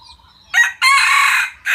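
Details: A red junglefowl cockerel, a white one with white ear lobes, crows: a brief opening note, then a long, harsh, sustained strained phrase, with the next crow starting just as it ends.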